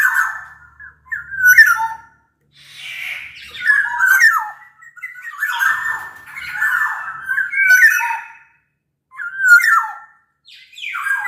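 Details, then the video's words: Black-naped oriole from Sumbawa used as a lure so other orioles join in: dense, harsh fluty phrases with falling slurs, repeated through the whole stretch with short gaps. "Kepodang Lokal Gacor Suara Buat Pancingan Burung Kepodang Agar Bunyi."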